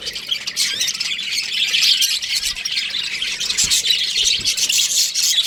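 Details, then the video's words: Aviary flock of baby budgerigars producing a steady wash of raspy, hissy chatter with overlapping chirps and a few soft knocks. "Baby Budgies Chirping Sounds | Amazing budgies aviary"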